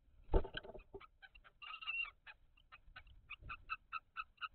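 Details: Kestrel in a nest box, 17 May 2023, calling during a food transfer at the nest; a loud thump opens, then rapid, bright, chipping notes in uneven bursts, becoming a steady repeated series near the end.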